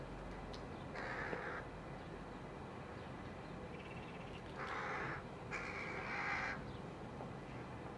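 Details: Rooks and their chicks, July 2021: rasping caws come in separate bursts, one early, then two longer calls close together near the end, against low background rumble.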